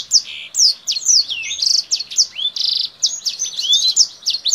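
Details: A kingthroat, spreading its wings, sings a fast, unbroken jumble of high chirps, sweeps and buzzy trills, rich and varied like a blackthroat's song, with no pauses.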